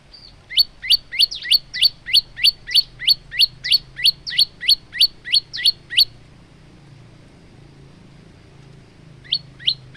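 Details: Male olive-backed tailorbird singing steadily for training other birds: about sixteen loud, high, upward-slurred notes in an even run over six seconds, then a pause and two more notes, with a low hum behind.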